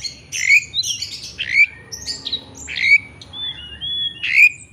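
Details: Oriental magpie-robin (kacer) singing in full play, a lure recording meant to provoke another bird into answering a rival; loud rising whistles and harsh squawky bursts in separate phrases, over a low hum.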